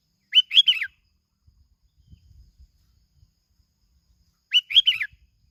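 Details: Lure recording of a bulbul from Bình Thuận, Vietnam: a brisk, liquid three-note whistled phrase, repeated once about four seconds later, with faint low rustling between.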